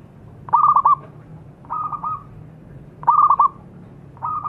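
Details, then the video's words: Zebra dove song used as a lure for singing: short trilled coo phrases of quick stuttering notes, delivered in pairs of bursts with brief pauses, steady pitch, faint low hum beneath. "SUARA PERKUTUT GACOR PANCINGAN PALING AMPUH"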